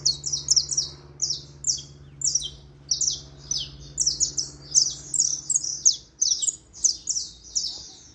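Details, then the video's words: A saffron finch pours out a long series of high, clipped, descending notes in quick bursts, with a soft low hum in the background during the first part. "cantos canário da terra"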